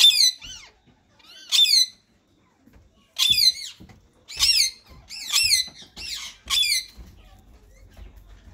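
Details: A white male ringneck parakeet and a green companion in talking mode give a series of raspy, harmonic-rich squawks about once a second, with a quieter low rumble indoors behind them.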